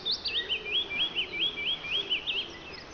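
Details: Wood warbler in full song, used as a lure to draw other birds into singing. A rapid series of about nine high, thin notes, each sweeping down and then up, with a steady and even rhythm. Faint background hiss.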